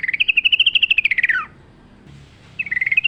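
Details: Sooty-headed bulbul in full wild song among natural sounds, giving a fast pulsed trill that holds steady and then slides downward, a brief pause, and the trill starting again.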